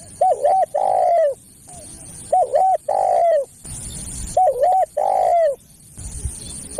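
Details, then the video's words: Spotted dove lure call for attracting other doves: phrases of two short hooked coos followed by a longer, slightly falling coo, repeated twice with pauses between; faint steady high hiss in the background. "SUARA PEMANGGIL BURUNG TEKUKUR"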